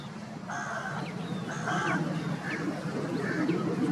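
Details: Large flock of Great Cormorants (Phalacrocorax carbo) perched on a leafless tree near water at Haiderpur Wetland, Uttar Pradesh, giving harsh, nasal honking calls about one each second over a steady low background rumble.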